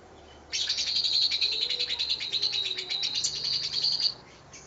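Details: Lovebird in training, singing its long trilling ngekek song: a continuous, fast, buzzy chatter of rapid repeated notes lasting about three and a half seconds, then stopping, over low background hiss.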